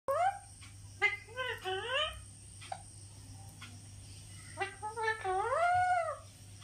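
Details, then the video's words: Pet talking parrot indoors producing speech-like vocalizations: short clipped syllables followed by wavering rising-and-falling tonal phrases in two bursts separated by a pause, with a steady electrical hum and a faint high whine behind. "Mitthu Bete Bolane Wala Parrot"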